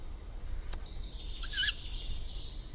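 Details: Young tawny owl giving a single short, rasping, hissy screech, preceded by a faint click, against quiet background noise.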